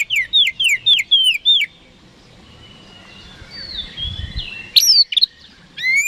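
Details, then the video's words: Oriental magpie-robin lure song for provoking rivals to answer: a quick run of six loud downslurred whistles, then softer drawn-out whistles and a sudden bright burst of notes near the end. "PANCINGAN KACER HARIAN 🔥 Super GACOR Ampuh Bikin Lawan Cepat Respon"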